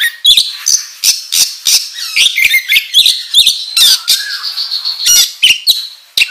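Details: Lively oriental magpie-robin song used as a training lure, full of scratchy squawks and quick chirps broken by a sustained whistled note, delivered in rapid bursts.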